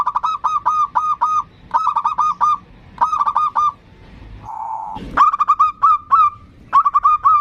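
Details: A local zebra dove sings a 'ndudut' variation, a lure meant to call and provoke rivals. Short bursts of rapid, evenly spaced hollow coos repeat again and again, broken once by a low humming sound.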